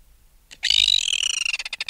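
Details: After a short silence, an adult red-billed tropicbird removed from its nest bursts into a loud, piercing scream that quickly dissolves into fast, harsh staccato pulses. Close-up alarm calls.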